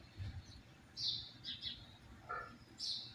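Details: Double-collared seedeater singing the "tui tui zero zero" song type, described as very fired-up, with short, bright, high whistled notes in a loose phrase and one lower note, over faint background hiss.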